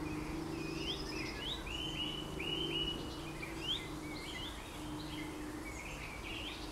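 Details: Eurasian golden oriole with other birds: a run of mellow whistled notes that hook upward, repeated quickly over several seconds, while other small birds chirp higher and a constant low hum fills the background.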